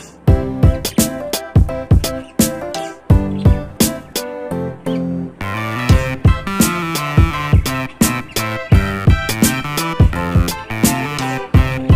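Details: Rhythmic funk-style music with plucked guitar and steady percussion fills the recording. No animal sounds can be picked out.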